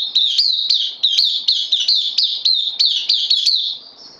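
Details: Newly arrived caged bulbul on loan, recorded 12 September 2020, delivers a long, even chain of about a dozen quick, sliding high notes before falling silent, a faint steady whine underneath.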